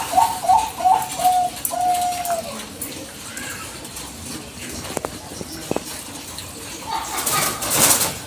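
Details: Bangkok zebra dove lure for provoking a reply: a few soft low coos in the first two seconds, then quiet handling clicks and a burst of rustling noise.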